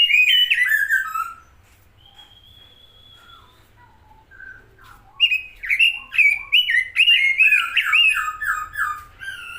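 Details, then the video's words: Robin song: a burst of rich warbled notes, then a long thin high whistle and soft scattered notes, followed by an energetic stream of rapid slurred, chattering phrases. "burung robin gacor"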